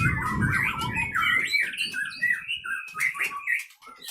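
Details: Captive-bred white-rumped shama from Pining, Leuser, Aceh; clear fluty whistled notes in short varied phrases, with low rumble in the first second and a half.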